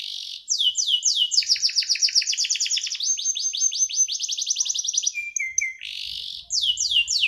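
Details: Canary singing a lively, varied song: fast series of descending whistled sweeps, buzzy trills and rolling repeated notes, switching phrases every second or so, with a brief hissing burst and low background hum near the end.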